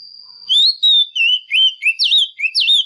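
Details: Singing female Oriental magpie-robin, used to excite males, delivers eight or so loud whistled notes in quick succession, alternating level and sharply hooked upward slurs, with a thin steady tone underneath before the phrase starts.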